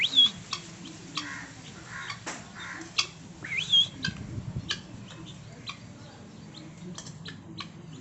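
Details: Guineafowl calling near a house: harsh, broadband squawks in uneven bursts, a few loud rasping notes and short whistled squeaks, with scattered clicks and a steady low hum underneath.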